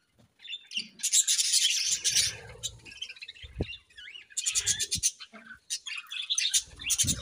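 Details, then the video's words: Morning chirping from budgerigars, rapid high twitters and squeaky notes in uneven bursts, about three per second, with short quiet pauses and low thumps. "Budgies' Morning Chirping Sounds"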